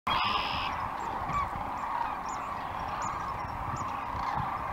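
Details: A dense chorus of about 10,000 migrating Sandhill Cranes along the Platte River near Gibbon, Buffalo County, Nebraska, on a 2018 morning: countless rolling, trumpeting calls blending into a steady mid-pitched roar, with a few higher notes above.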